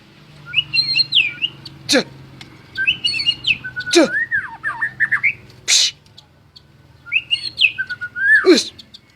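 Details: Vigorous white-rumped shama song with repeated phrases of high looping whistles and fast slurred warbles, broken by sharp clicks and knocks.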